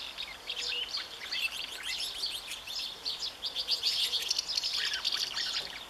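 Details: Nest-holding common house martin, recorded 20 May 2015, twittering steadily: bright, high, scratchy chirps packed closely together, swelling louder toward the end, with quick buzzy trills between them.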